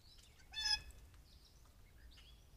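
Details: Blue jay swooping in for a peanut and calling to another jay, caught on a trail camera while several jays fly around; one loud, harsh, harmonic-rich call lasting about a quarter second, with faint thin chirps before and after.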